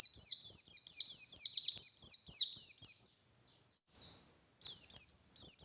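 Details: Buxtoni oriental white-eye in full song, meant to stir quiet white-eyes into singing: quick, high, slurred downward chirps strung tightly together, fading out, then resuming after a second's gap.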